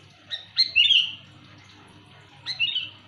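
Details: Sooty-headed bulbul giving a loud calling phrase used for luring birds: two bursts of short bubbly notes descending from high to mid pitch, the first near the start and a shorter one about two seconds later, with a low hum beneath.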